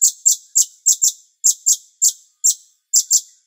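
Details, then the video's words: Cucak cungkok bulbul in a master recording for training songbirds: sharp, very high, clipped chip notes given singly or in pairs, roughly every quarter to half second, with short silences between. "MASTER CUCAK CUNGKOK Jeda Terapi Air"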